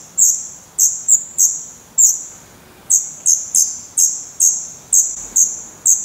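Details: Nestling Black redstarts in Portugal, 16 May 2020, fed on worms, spiders and a grasshopper, utter piercing high hissy begging notes in a loose series, about two per second, with a brief pause midway.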